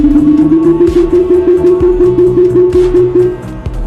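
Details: Loud plucked-string music with a steady repeating beat and no animal sounds.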